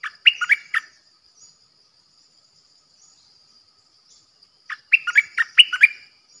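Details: Bulbul decoy song recorded 8 May 2021: a short cluster of chortling whistled notes, a long silent gap of about four seconds, then a second similar bubbly phrase.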